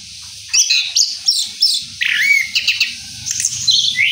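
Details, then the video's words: Orange-headed thrush singing its rolling song after moult: bursts of sharp high notes and downward-sliding whistles, with a faint low hum in the background. "Anis Kembang Ngeroll Setelah Mabung"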